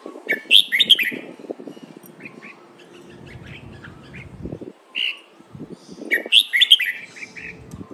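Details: Training song of a Red-whiskered bulbul in len rik, nap dok, mae bot and lak wai styles. Bubbly whistled phrases open and close the recording, separated by short single notes and low background rumble.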